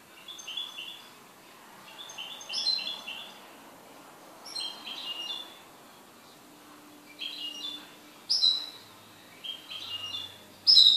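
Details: An owned goldfinch singing in short bursts of high, twittering, chirpy phrases separated by pauses of about one to two seconds, with a faint low hum in the background.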